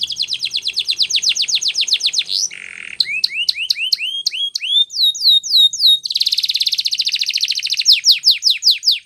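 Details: Powerful canary training song: fast falling whistles, a low buzzy rattle, upward-hooked chips, curling high notes, then a dense buzzy trill and more descending sweeps.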